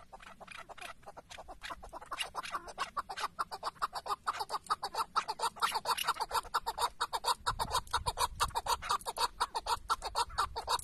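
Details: Tethered chukar partridge used as a decoy while hunting in Şırnak, Turkey, delivering a long, steady series of sharp chuck notes about two per second, building in loudness, over faint low background noise.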